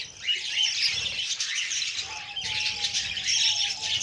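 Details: Budgerigar chicks beg during feeding by the female: rough, buzzy squawks that swell and fade, with a faint thin whistle-like tone in the background.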